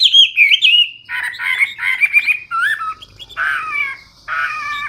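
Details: Hwamei (wambi) delivering loud, full, varied song. Bright twisting whistles open the phrase, then it shifts to lower, harsher, chattering notes and a few nasal, buzzy calls separated by short pauses.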